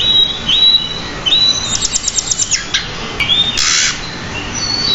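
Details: Pied bushchat singing, a caged bird used for song training: clear high whistled notes, a quick series of about eight staccato ticks, then a short harsh buzzy burst followed by further thin whistles.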